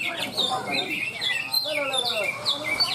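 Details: Greater green leafbird singing at a songbird contest beside a field in Malinau, North Kalimantan: dense, fast run of varied whistles, sweeps and chattering notes, with men talking nearby and other birds likely also singing.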